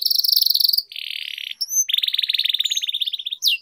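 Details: Trained canary in full song with long rolls, used for singing practice: long buzzy rolls at two pitches, a short rising whistle, then an even rattling trill ending in a quick downward slur.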